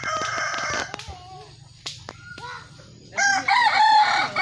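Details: Kukuak balenggek chickens at a crowing contest: a dense crow first, sharp clicks and brief whistled notes in the gap, then a loud warbling multi-part crow at the end.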